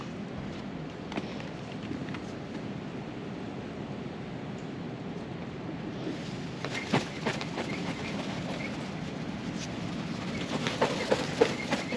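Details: Steady low rumble of a passing vehicle or train with scattered clicks and knocks, and no animal voice.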